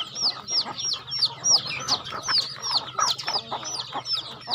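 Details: Farm chickens calling at feeding time: a crowd of shrill, downward-slurred peeps, some louder and closer than others, pouring out in quick, uneven bursts over a low steady hum.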